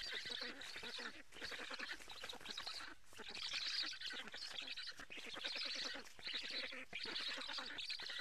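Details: At a Karula black stork nest in Estonia during a July fish feeding, harsh nasal calls come in rapid bursts of several seconds, separated by short pauses, on a live nest camera.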